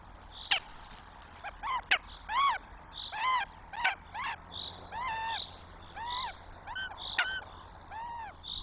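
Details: Eurasian goshawk chicks at the nest in Tartu, Estonia, on 9 May 2025: loud, harmonically rich, arched wailing calls given in quick bursts, with sharp clicks between them and faint high songbird notes in the background.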